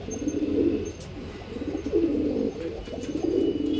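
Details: Repeated throaty coos from Andhra line pigeons, three rolling phrases about a second apart, each rising then dropping in a gurgling burr, over steady low hum.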